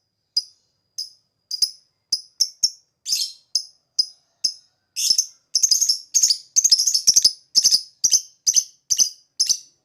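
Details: Lovebird in ngetik panjang and ngekek song, used as a lure to make other birds respond: crisp ticking notes speeding up into a dense, fast run of harsh chattered bursts.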